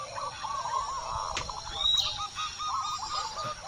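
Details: Local zebra dove from Indonesia, big-voiced, replying to a lure. A continuous rolling series of quick coos at moderate volume, with a short whistle-like sound midway and a click.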